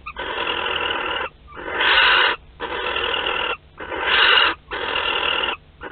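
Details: Barn owls at the Théding nest on 31 March 2021, during delivery of a live wood mouse: harsh wheezing hisses about a second long, repeated roughly every second with brief silent gaps, some louder than others.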